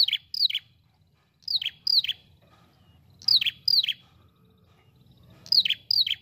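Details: Ashy prinia, described as red-headed and in full voice, used as a lure recording: sharp downslurred chirps, usually paired, sliding from high to lower pitch, repeated in bursts every second or so, with faint low rumble.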